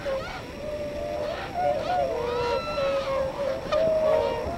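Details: Tundra swans on northward spring migration at Yonago Waterbird Sanctuary, Tottori Prefecture, Japan; a flock gives overlapping mellow, nasal bugling calls, some rising, others falling, almost without pause, over a steady background rumble.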